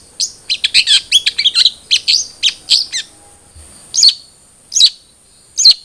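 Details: Long-tailed shrike, cendet trotol variety, in a lure recording for captive birds: a rapid jumble of scratchy chattering notes for three seconds, then a pause and three separate loud, harsh calls spaced under a second apart.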